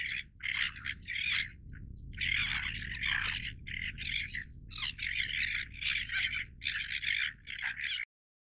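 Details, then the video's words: Greater crested tern calls: coarse, rasping, scratchy notes in quick successive bursts over about eight seconds, overlapping as if from several birds, with a low rumble beneath. "大鳳頭燕鷗(鳳頭燕鷗)/Great Crested Tern"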